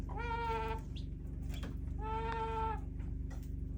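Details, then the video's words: Backyard chickens making weird sounds: two drawn-out, nasal, steady-pitched calls about half a second long, separated by a pause, over a constant low electrical hum. "Weird chicken sounds"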